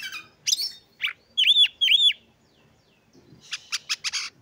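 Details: Oriental magpie-robin song used to prompt other magpie-robins into singing: raspy chattering bursts, then two loud, clear downslurred whistles, then a quick series of harsh buzzy notes after a short pause.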